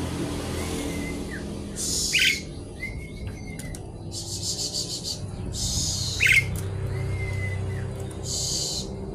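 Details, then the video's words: Javan pied starling in full, noisy song with borrowed phrases, seeking a rival: harsh hissing bursts roughly every two seconds alternate with faint, thin whistled notes over a steady low hum. "Jalak suren gacor isian ribut mencari lawan"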